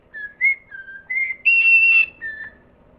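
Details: Parrot whistling a simple tune of clear steady notes, stepping up and down in pitch, with one longer high held note near the middle.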